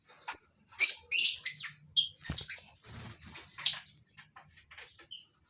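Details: Colony-caged lovebirds of several species on a breeding farm in the morning give rapid high piercing chirps, several in quick succession early on, then sparser squeaks, with a soft low rattle in the background.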